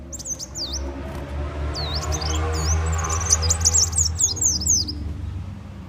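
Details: A sunbird, called muncang or kolibri wulung locally, gives lure calls for bird catching: high sweeping squeaks and twittering chirps over a steady low hum in the background.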